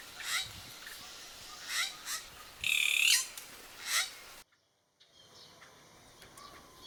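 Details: Racket-tailed treepie, a breeding resident in a garden in western Thailand, gives harsh rasping calls in short bursts with one longer grating call midway. A steady insect hum runs beneath, then a brief silence and quieter insects.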